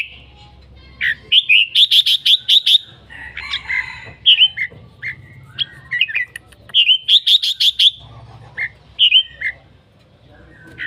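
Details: Red-whiskered bulbul calling and singing repeatedly, with two bursts of rapid bright chirping trills separated by varied whistled and burry notes, then scattered single whistles fading out near the end.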